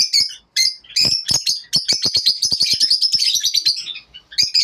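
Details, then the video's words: In the morning, lovebirds give a few separate sharp chirps, then a rapid continuous high twittering run that fades before a final short burst. "lovebirds morning 🌅 natural sound"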